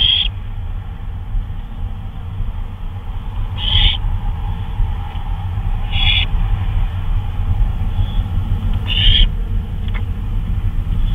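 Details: During a 2:39 AM flyabout on May 26, 2013, an owl makes four or five short, rasping screeches roughly two seconds apart, fairly soft above a persistent low droning rumble.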